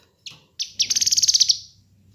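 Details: Kinoi bird, recorded for training and luring birds, gives two short high notes and then a fast, bright, pulsed rattle lasting under a second, with a faint low hum underneath.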